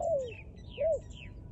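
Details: Two low, mellow dove coos: the first slides downward and the second swells and then falls. Thin, high bird chirps are faintly audible in between.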